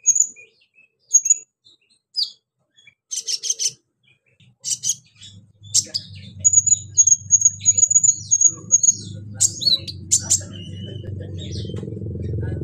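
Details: Female pygmy cupwing calling a male: sharp high chips and clustered notes, then a long thin high trill lasting about three seconds, followed by more quick notes, with rising low rumbling noise toward the end.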